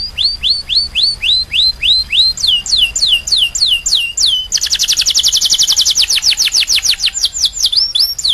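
Domestic canary singing in tours: a run of clear falling whistles, then quicker swooping notes, then a fast, bright high trill before more slurred sweeps.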